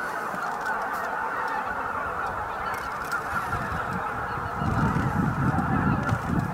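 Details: Greater white-fronted geese flying in to roost at Miyajima-numa marsh, Bibai, Hokkaido, 11 April 2016, 18:00–18:30, roughly 15,000 birds: dense chorus of overlapping high yelping honks, continuous clamour over low rumble of wind or wingbeats.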